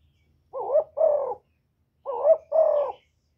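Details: Decoy spotted dove (cu đất) cooing to lure wild birds, kept calling all day; two low, throaty phrases about 1.5 seconds apart, each a short rolling note followed by a longer purring coo, against a quiet background.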